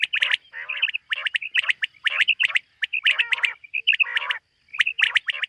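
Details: Common quail in a summer meadow in the morning, 2023: sharp clipped notes in quick clusters of two or three, with nasal, buzzy bursts between them and short pauses.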